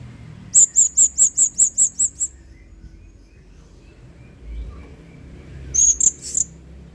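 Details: Blue-crowned hanging parrot in energetic 'main singa' style, recorded as a model for training other birds: a quick run of nine sharp, high, thin notes, then silence, then three more sharp notes near the end.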